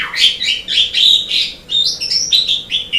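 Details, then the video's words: Asian pied starling chattering song from a tutor recording for training birds: a continuous run of rough, buzzy and whistled notes rising and falling, with a steady low hum underneath. "Ocehan Suara Burung Jalak Suren"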